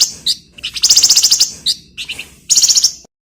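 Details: Flamboyan bird singing loudly and continuously as a model song for magpie-robins: high chips lead into fast rattling trills, repeated in several rapid bursts.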